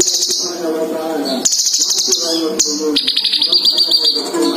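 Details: Male and female sunbirds caged together deliver sustained high buzzy trills in long bursts, the last one dropping slightly in pitch, with music in the background.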